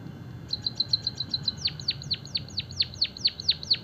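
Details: White-headed munia singing, a lively bird trained to sing with canary filler; a run of short high chips followed by repeated sharply falling whistled notes, roughly two per second, over a faint low hum.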